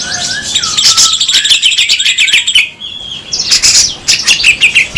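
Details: Rough 'besetan' song of grey-cheeked bulbul, local and Sumatran birds compared: dense, scratchy high trilling mixed with downslurred whistles, a brief pause, then renewed rapid harsh notes and chirps.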